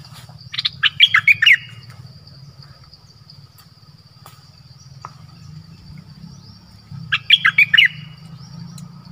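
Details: Streak-eared bulbul giving two short bursts of quick, bubbly chirped notes about six seconds apart, over a steady low hum and faint insect buzz.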